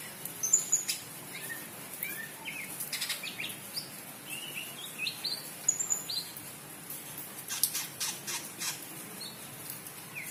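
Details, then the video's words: Greater green leafbird in breeding condition after a rain bath, giving short chirps and brief whistled slurs scattered over ten seconds, with sharp high ticks and a steady hiss of background noise. "Birahi cucak ijo stabil " Dg mandi hujan""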